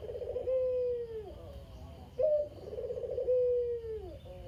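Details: Lone caged Barbary dove, whose mate died, cooing in kugeru style. One phrase ends in a long sinking hum. A second follows with a sharp attack, a throaty rolling trill and another sustained, gradually lowering coo.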